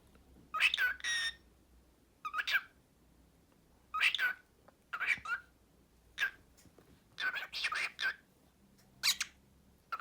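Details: Cockatiel (Nymphicus hollandicus) talking in short, high, scratchy bursts, repeating learned Turkish words and phrases such as "gel benim cicikuşum gel", "öpücük ver", "aşkım", "babacım" and "hoşgeldin".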